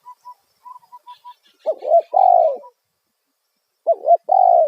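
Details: Spotted dove calling in the loud 'kuk satu' lure style for wild doves. The clip opens with a short series of thin, evenly pitched whistled notes, then two strong phrases of a wavering double note and a long falling coo.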